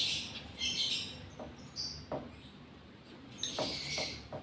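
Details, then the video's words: Breeding-condition lovebird in the gara state giving shrill, squeaky chirp bursts at the start and end, with dull knocking clicks in between. "Love Bird GARA Birahi Bunyi"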